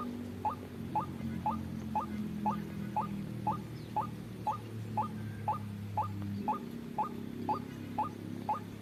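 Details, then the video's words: White-breasted waterhen trapping lure: short upward-sliding kwak notes repeated very evenly, exactly two per second, sixteen in a row, over a low humming background. "suara pikat burung ruak ruak"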